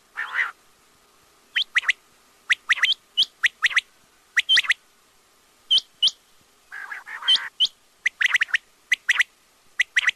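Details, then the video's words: Quail (batair) giving rapid bursts of sharp, clipped whistles, often in twos or threes, mixed with a few rough, buzzy lower notes at the start and middle; several notes overlap as if more than one bird calls. "batair ki awaz|quail sounds"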